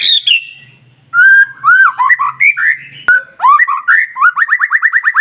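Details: White-rumped shama song intended to provoke other shamas: loud mellow whistled phrases, sharp click, then a fast series of about ten short rising whistles repeated in quick rhythm.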